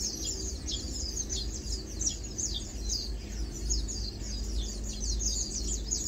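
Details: Lowland White-eyes (Zosterops meyeni) chilling, feeding and preening, giving thin, high chattering notes in quick, uneven bursts, several overlapping, over a steady low rumble of background noise.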